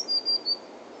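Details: Blue tit song at Uppsala Botanic Garden, captured on a hand-held DMC-G2 camera fitted with an HVS014140 lens: three short, very high, level whistled notes in quick succession against a constant low rumble.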